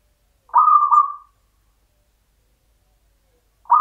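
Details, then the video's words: Local zebra dove, a champion singer in Mataram style, gives one soft stuttering coo phrase that fades out, followed by a long pause and the onset of another phrase. "PERKUTUT LOKAL IRAMA PAKEM MATARAM JUARA"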